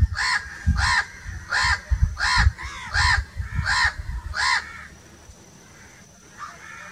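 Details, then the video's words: Crow giving a run of six harsh, raspy caws spaced roughly every two-thirds of a second, each call short and even, followed by quiet; low rumbling background noise underneath. "1 hour crow crowing sounds"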